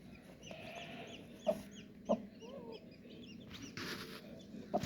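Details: Colourful baby chicks peeping: thin, high arched cheeps, several overlapping in the first two seconds, then more around the middle, with sharp knocks and clicks between.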